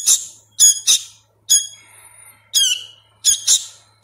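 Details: Sooty-headed bulbul nestling being hand-fed and still learning its voice: loud, shrill harmonic squawks, some doubled, with a faint thin whistle between them, spaced roughly a second apart.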